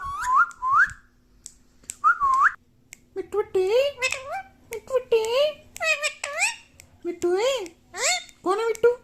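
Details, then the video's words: Pet parrot imitating human speech, saying words like 'mummy' and 'papa': a few clear rising whistled syllables, then a string of warbling, voice-like phrases with sliding pitch, recorded indoors in a small room. "Mummy Papa bolne wala parrot"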